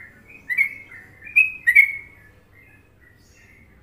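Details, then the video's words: Sooty-headed bulbul, Indonesia, Trucukan song: a short burst of three or four bright whistled chirps, then a pause with only a faint soft note, quiet surroundings. "Masteran Trucuk Indonesia"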